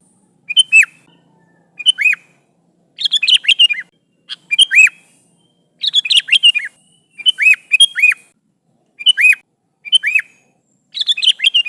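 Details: Sooty-headed bulbul calling to its companions, recorded for luring: a steady run of about ten chirpy phrases roughly one per second, each ending in a looping rising-then-falling whistle, clean and loud.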